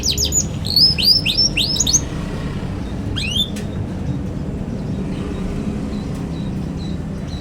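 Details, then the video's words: Juvenile canary song used to teach other young canaries: a quick run of upswept chirps for two seconds, a short burst of notes later, then mostly rumbling background noise with faint distant notes. "KENARI PAUD NGERIWIK GACOR CUIT CUIT BIKIN EMOSI |22| COCOK BUAT PANCINGAN KENARI PAUD BELAJAR BUNYI"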